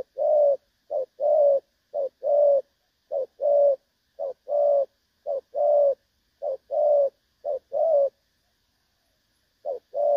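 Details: Decoy recording for trapping of a spotted dove, giving low mellow coos in regular pairs, a quick short note leading into a longer rounded coo, about one pair per second, then a pause before the pattern restarts.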